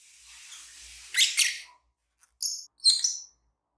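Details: A pair of green Fischer's lovebirds chirping: after a soft hiss, a burst of sharp, high, scratchy chirps, then two brief bright high chirps in quick succession, with short silences between.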